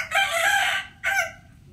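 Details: Early-morning rooster crow, a long, rich and raspy held note followed by a brief second burst that fades out, against faint low background noise.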